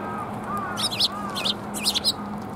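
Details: Sparrows coming to be fed at a Tenmangu shrine on 14 March 2021; short, sharp, high chirps in three quick bursts over a steady low hum, with a few softer lower arched notes.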